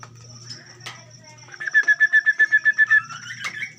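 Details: Orange-headed thrush in a colony breeding cage gives a rapid, even series of about a dozen clipped mid-pitched notes over roughly one and a half seconds, with scattered clicks and a low hum behind.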